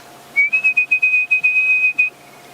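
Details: Orange-breasted Bushshrike whistles a quick run of about eight clear, even-pitched notes merging into a longer held note, among peaceful afternoon sounds with doves, during a sunset game drive at Djuma, Africa; faint low vehicle engine hum.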